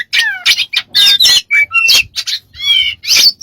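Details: Smart bird with lots of strange sounds, here harsh broadband squawks alternating with short pure whistles, including a low falling whistle and a wavering buzzy phrase near the end.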